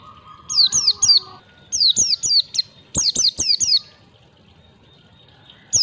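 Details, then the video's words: White-eye training recording for young birds learning to sing, with 1-2-3 beat phrasing: three bursts of three to four high, sharp, downward-sliding whistled notes, separated by short pauses, over a steady low tone at the start. "pancingan pleci belajar ngalas 1 2 3 ketukan"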